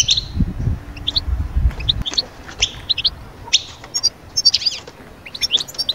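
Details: European goldfinch song for rousing moulting birds into summer breeding mood: scattered high chirps and a few twittering notes, fairly sparse, with low rumbling noise early on.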